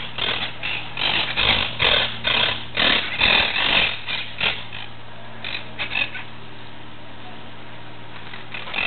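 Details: Monk parakeet recorded 17 July 2008, giving harsh, grating squawks in rapid bursts of about two per second, pausing midway, then resuming more faintly over a low steady hum.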